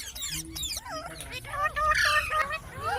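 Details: Pet parrot talking: curved, wavering voice-like notes in quick succession, some rising and falling like speech, over a faint low background hum.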